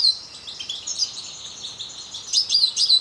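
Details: Short burst of European goldfinch song, parva form: rapid high twittering notes at an uneven pace, growing louder toward the end.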